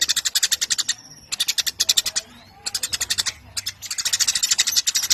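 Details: Lively Eurasian tree sparrow recorded as training material for contest birds, delivering clustered volleys of shrill, scratchy chirps with several half-second pauses between bursts.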